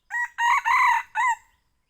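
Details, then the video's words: Young red junglefowl lure call used for hunting: a four-part crow, a short clipped opening note, then two longer strained middle notes and a falling final note, all in about one and a half seconds against a silent background. "Ayam hutan muda buru suara pikat"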